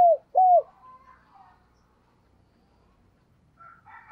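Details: Morning call of a decoy spotted dove luring wild birds: two low falling coos at the start, then quiet with faint higher chirps from other birds near the end.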